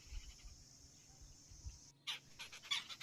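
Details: At a tree-hollow nest, a common myna grips a big green insect in its bright yellow beak for its young; after near-quiet, a sudden sequence of short, grating squawks follows in quick, uneven succession.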